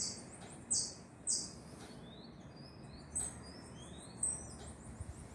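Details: Fledgling tanager calls with thin, very high, descending notes, several loud ones at uneven intervals, with fainter high notes between and a soft low background.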